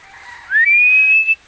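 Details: Philippine eagle while hunting a rail (tikling), giving a single loud, piercing whistle that sweeps upward and then stretches out level for close to a second before cutting off abruptly.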